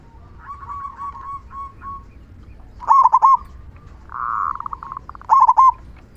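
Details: Local zebra dove with a large "kung" voice, used to trigger other doves to sing: soft rolling coos, then two loud clipped stuttering bursts separated by a brief, rich, steady cooing phrase.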